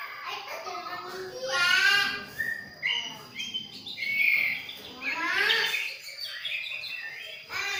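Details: Young spotted white-rumped shama of the Medan type, aged 2.5, learning its song: varied whistled phrases with rising and falling slurs and bright trills around the middle of the range, in irregular bursts, with some voice-like sounds underneath.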